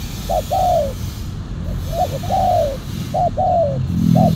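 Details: Spotted dove decoy, silver-coloured with a black collar, for luring wild doves: short note then long falling coo, repeated three times in quick succession, with a brief low buzzy sound near the end.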